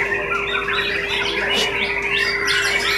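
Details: A White-rumped shama (Copsychus malabaricus), a contest songbird that placed second in a loyalty class, sings a rich run of varied whistles and chattering phrases, sweeping up and down, over a steady hum and busy background noise.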